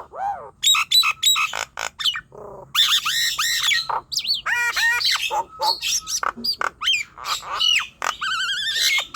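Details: Nias hill myna singing to stir young, untrained and reluctant birds into song: loud ringing whistles, harsh squawks and a buzzy trill toward the end, in uneven bursts.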